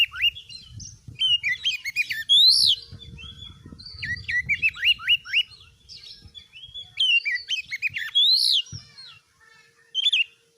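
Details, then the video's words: Oriental magpie-robin (kacer) song packed with fast series of downslurred whistles, buzzy squeaks and high ringing notes, delivered in dense bursts, over a faint low rumble. "MASTERAN KACER GACOR || Kacer gacor tes mental burung lain agar fighter"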